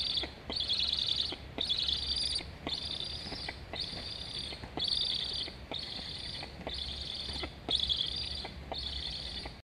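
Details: Two Black stork siblings chirp at their nest in Estonia, seen on a live nest camera on 26.08.21; one begs to be fed while the other flies alongside. About nine evenly spaced, raspy high bursts, each roughly half a second long.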